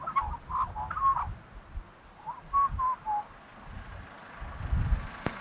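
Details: Australian magpie giving a few clear fluted whistles, some sliding downward, in short separated phrases, with low rumbling background noise and a sharp click at the end.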